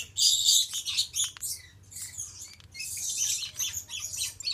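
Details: Male Stella's lorikeet (Charmosyna papou goliathina) gives shrill, harsh screeches and rapid chattering bursts, high-pitched and nearly continuous, with brief pauses between volleys.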